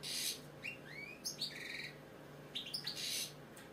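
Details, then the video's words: British goldfinch song, quieter and more distant: rising slurred whistles and tinkling twitters in loose phrases, with a faint hiss and a low hum behind. "British Goldfinch singing, Chardonneret , Cardellino, Jilguero, bird song"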